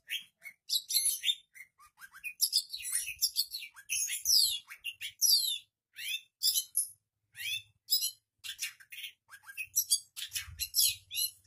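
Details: Shrike singing a rich, varied song with imitations of other birds' voices: rapid bursts of high chirps, sharp chips and descending whistles, separated by brief pauses.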